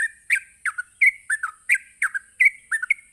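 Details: A short burst of sooty-headed bulbul 'ropelan' song, used to lure other bulbuls into responding. There are about ten loud, bubbly two-part whistles, each dipping then rising, over a faint constant high hiss.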